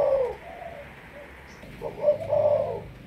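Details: Malaysian spotted dove decoy bird giving drawn-out, muffled, low coos, one at the start and a longer wavering one near the end, over steady background hiss.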